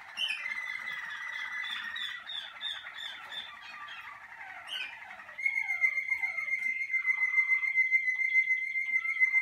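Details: Caged Malinois Waterslager canary on early cabin sessions, warming up. A dense warbling trill with quick descending notes shifts into a loud, pure, long-held whistled tone with pulsing undertones.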